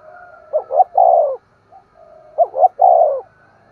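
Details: Spotted dove giving two deep coo phrases, each two short rising notes followed by a sustained falling coo, meant to stir a decoy dove into cooing and calling; soft low coos and a faint whistle between.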